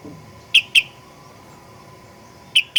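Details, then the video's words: Sooty-headed bulbul, a lure recording meant to provoke other birds into singing aggressively: pairs of short, bright, sharp chirps, one pair early and another near the end, over a steady low hum and quiet background. "Kicauan Kutilang Pikat Gacor Fighter"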